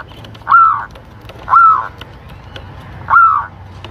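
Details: Zebra dove from Lampung, a lure and tutoring recording meant to stimulate breeding: three soft downslurred coos at uneven spacing, roughly one to one and a half seconds apart, with low background hum.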